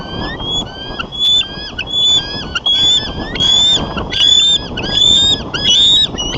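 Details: Bald eagles at their nest in Davenport, USA, calling as intruders fly past, seen on a nest camera on 29 January 2014 in the late afternoon. High, thin piping notes come in chattering bursts of about a second, repeated steadily, with steady wind rumble.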